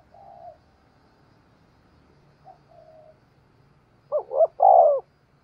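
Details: Spotted dove used to attract wild doves; faint soft coos at first, then a loud three-note coo near the end, two short rising notes followed by a longer drawn-out one.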